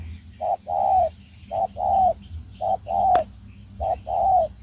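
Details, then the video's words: Decoy spotted dove used in bird trapping coos steadily. Each phrase is a brief note followed by a longer, slightly falling hollow coo, repeated four times at about one-second spacing, with one sharp click. "Bẫy chim cu gáy #birds bổi Đồng Ngô"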